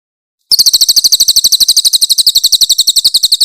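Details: Grey-headed canary-flycatcher, a very loud songbird used as a master tutor for other birds, giving a fast, high, metallic chatter of about nine notes a second, unbroken and clear.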